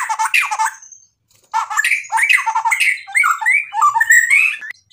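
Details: White-rumped shama in energetic full song packed with mimicked phrases: dense bursts of harsh, buzzy and warbled notes, a brief pause near one second, then rising slurred whistles and chattering phrases running on almost continuously.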